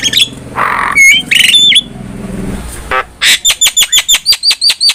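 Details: Javan myna singing for cage-bird training: harsh rasping notes and a sharp whistle, a brief quiet gap, then a fast, evenly spaced string of about ten clicking chips.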